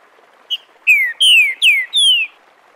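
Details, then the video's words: Green-winged saltator singing the "Bom dia seu Chico liso" dialect, recorded live to teach young birds: a short note, then four clear whistled phrases, each sliding downward, the last longer and higher. "Trinca ferro canto Bom dia seu Chico liso para ensinamento de filhotes"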